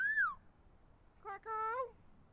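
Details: Blue-fronted amazon, a pet parrot set on a backyard tree on a warm day, gives a clear whistle that rises then falls, followed after a pause by two speech-like calls, the second drawn out and rising.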